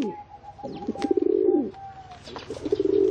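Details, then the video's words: A pigeon's low, bubbling coo swelling and fading, followed by the start of another, with a thin steady tone running behind. "เสียง นกพิราบ"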